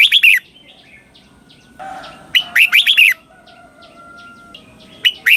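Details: Red-whiskered bulbul from Thailand with a slow, distinct doubled song in southern master style, played to teach young birds: a few sharp notes, a burst of about five bright whistles, and a final note, over a faint steady hum.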